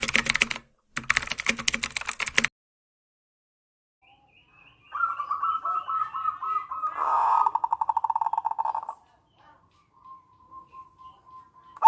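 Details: Zebra dove, a local perkutut in full voice, with manggung and nretek song styles used to lure doves and stir breeding condition; loud broadband bursts open, then a rapid run of clipped notes near one pitch, a rattling trill and a thin sustained note.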